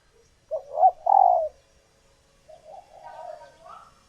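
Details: Female spotted dove in egg-laying condition, a caged bird whose calls excite males into cooing for a mate: two loud low coos, then softer wavering cooing notes trailing off in a quiet room.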